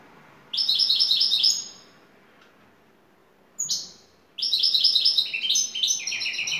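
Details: European goldfinch from Turkey, a lead bird singing the şakşaklı style: two bursts of rapid, bright, twittering notes with a quick rhythmic trill, split by a brief high chirp and a pause in quiet surroundings.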